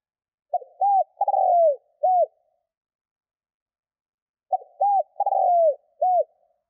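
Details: Spotted dove calling, played to draw wild doves into calling: a phrase of short clipped coos and a longer falling, rolled coo, given twice about four seconds apart in clean silence.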